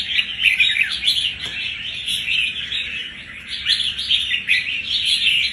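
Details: Wild-caught red-whiskered bulbul kept about a month, singing with fighting spirit; busy warbling chatter of slurred, swooping notes, swelling and fading in waves, over a constant faint low hum.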